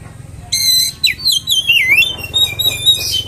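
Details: Oriental magpie-robin lure song: after a faint hiss, a loud burst of ringing stacked whistles leads into a descending series of sliding, wavering whistled notes.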